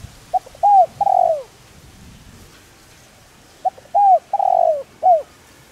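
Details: Spotted dove calling coo meant to stimulate decoy birds into calling; two mellow phrases, each a brief note, arched coo, drawn-out falling coo and closing arched coo, separated by a few seconds of near silence.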